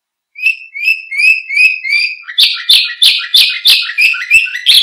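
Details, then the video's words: Canary singing, a recording for tutoring other birds: a run of whistled rising notes about three per second, switching to louder harsh buzzy repeated syllables. "Suara Kicau Burung KENARI Untuk Pancingan Dan Masteran"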